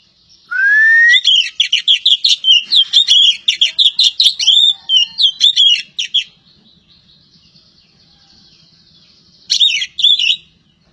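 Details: Oriental magpie-robin of the kacer poci type from Java: a rising whistle opens a five-second burst of quick, varied whistled and scratchy notes, then silence and a short final flurry.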